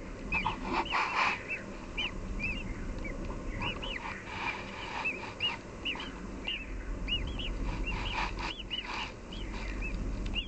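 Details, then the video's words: Hungry chicks begging in a nest in a garden; many short, high, arched chirps repeated in quick overlapping bursts over a steady low background rumble. "KUŞ YAVRULARININ İÇGÜDÜSEL AÇLIKLARI"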